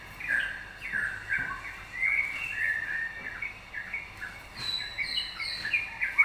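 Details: Yellow-vented bulbul in lively song, played to prompt other birds to sing: fluid chattering phrases of slurred notes, with brighter, higher chirps near the end over faint background noise.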